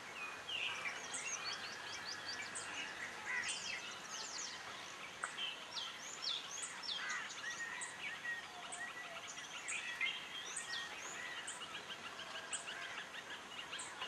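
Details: Blossom-headed parakeets in Sattari, Goa: short, shrill, high chirping notes in quick, overlapping bursts, as from several birds calling at once, over a steady hiss of background noise.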